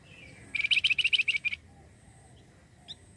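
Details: Flamboyan bird recording used as a lure to draw in other birds: one rapid, high, chattering trill of about ten sharp notes lasting one second, then quiet with faint background noise.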